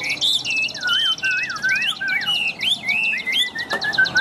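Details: Newly arrived tame Chinese hwamei from Vietnam, praised for a loud, ringing voice, sings a fluent run of clear whistled notes. The notes slur, bend and loop up and down, with brief pauses and a high buzzy trill at the start.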